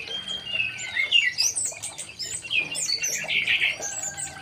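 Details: Young male white-rumped shama in an aviary, producing a dense, fast jumble of sharp chirps and whistles, rising and falling throughout, with little background noise.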